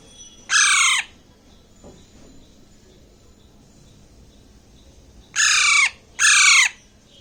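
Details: Baby Alexandrine parakeet, about one and a half months old and hand-fed, eating grapes and giving three loud, harsh, grating screeches about half a second each, the last two close together.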